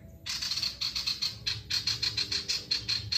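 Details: Male ashy tailorbird in full song, used to lure other birds into singing: a sustained series of sharp, high, rasping notes in quick groups with short gaps.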